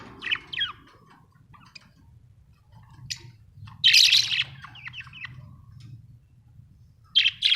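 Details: Australian budgies chirping in short scattered bursts of high, scratchy notes, with a few longer warbled phrases and quiet gaps between them over a low background hum.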